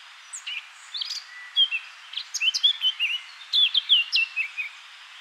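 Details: Singing male Eurasian blackcap in a bush beside the River Honddu, South Wales: a brief soft opening note, then a fast, rich warble of varied whistled notes building into a louder flourish.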